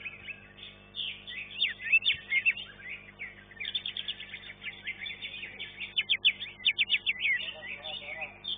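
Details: Caged green leafbird singing in a first-class contest round, where it finished third: rapid staccato chirps and buzzy trills, about two or three per second, with crowd voices faintly audible.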